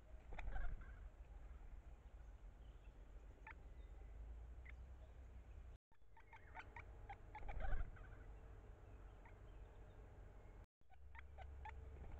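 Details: Great spotted woodpecker adults feeding young at the nest cavity, exchanging communication calls: repeated short, hard 'kik' notes, scattered singly and in bunched groups, with brief louder low thumps and constant low background noise.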